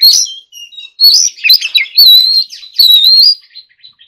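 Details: Oriental magpie-robin practising forest-voice song: bright high whistled phrases, including a long warbling sustained whistle, separated by short silent gaps, recorded clean and close.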